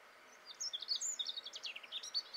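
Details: Male European robin singing: a rapid run of thin, high, varied warbling and trilling notes, each phrase shifting in pitch, delivered in quick bursts over soft, steady background hiss.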